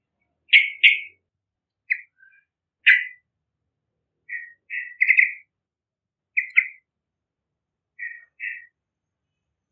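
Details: Yellow-vented bulbul in full voice, a lure recording for young bulbuls: spaced, liquid, bubbling phrases of two or three notes, loud at first, then softer paired chirps at irregular intervals.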